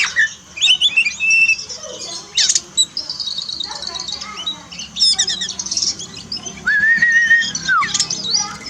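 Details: Oriental magpie-robin song meant to encourage a pet bird that is reluctant to sing after moulting: quick scratchy chatter and high trills, ending in a long, level whistle that drops at the end.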